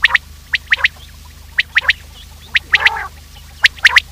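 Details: Quail lure call recorded in the morning for hunting: crisp, clipped notes grouped in quick threes, repeated about once a second, with one brief rasping burst near the middle and a constant low hum beneath.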